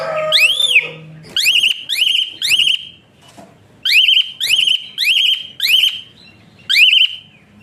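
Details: Asian pied starling in rough, tightly spaced whistling used as a tutor for other birds: an opening arched whistle, then bursts of upslurred whistles with flat trilled endings, a brief pause in the middle.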